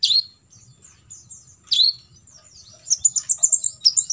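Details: Olive-backed sunbird recorded as tutor material, full 'tembakan isian': two loud swooping chirps followed by a fast, very high twittering trill of closely packed notes.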